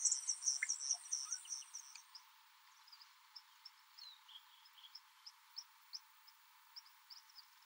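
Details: Southern masked weavers at a communal nest shared with White-winged Widowbirds at the Transport Dam, Kruger National Park: a dense burst of high, sizzling chatter, then scattered thin ticking notes about twice a second. Widowbirds' zeh-zeh-zeh calls may be heard.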